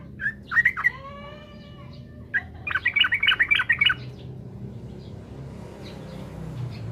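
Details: Trucukan, or yellow-vented bulbul, in energetic song meant to rile up rival birds: a brief gurgling phrase, a pause, then a quick burst of bubbly, warbled notes lasting just over a second, with faint low background hum.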